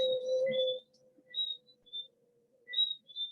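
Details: Soft synthesizer music with a held low tone and scattered high chimes, no animal sounds.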